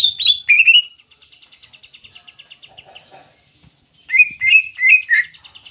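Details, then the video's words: Greater green leafbird performing clear canary-style fill in its song for bird training: a few bright upslurred notes, then a long, evenly pulsed trill of soft ticking notes, followed by rapid chirped phrases. "Masteran Cucak Ijo Isian Kenari Jernih"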